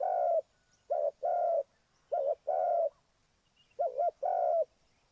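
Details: Spotted dove used as a trapping lure in Ninh Thuận, Vietnam, repeating a rhythmic pattern of a short clipped coo followed by a longer, fuller croo, three times at roughly even spacing, against a silent background.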